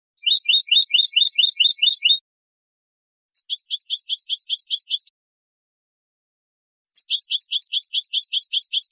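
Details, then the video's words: European goldfinch singing basic songs in the boli boli style. It gives three bursts of a quick, high, repeated twittering phrase, each run of evenly spaced notes lasting one to two seconds, separated by clean silences. "CANTOS BASICOS DEL JILGUERO ** BOLI BOLI"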